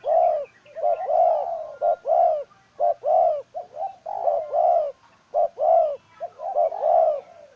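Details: Spotted dove kept as a decoy bird, cooing steadily: soft, rounded low hoots in quick groups of two or three, with short breaks between phrases, repeated throughout against a quiet background.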